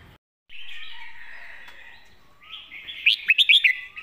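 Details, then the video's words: Red-whiskered bulbul 'master song' with a rushing hiss at first, then a lively five-note whistled phrase, each note slurred and bright, amid soft chattering from other birds. "เพลงแม่บท นกเสียงทอง#เสียงนกกรงหัวจุก"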